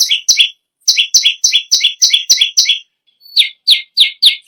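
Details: Bar-winged prinia singing hard: a short pair of piercing chips, then a steady run of seven, then a pause before a few sliding, slightly lower notes.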